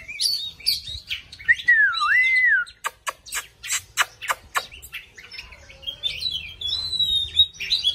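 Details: Oriental magpie-robin singing and dancing: a clear wavering whistle dips and rises, then comes a rapid series of dry ticking notes, then more bright whistled phrases.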